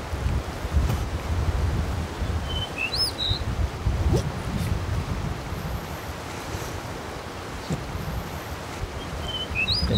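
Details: Male blue rock thrush recorded on 1 May 2023 with a Sony A7S3 camera: two short whistled phrases of clear rising and falling notes, one early and one near the end, over steady low wind rumble and rustling.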